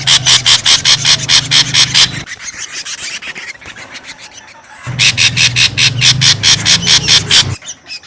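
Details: Ashy drongo lure sound, described as noisy: loud harsh rasping bursts repeated about twice a second, broken by a quieter pause, with a steady low hum underneath.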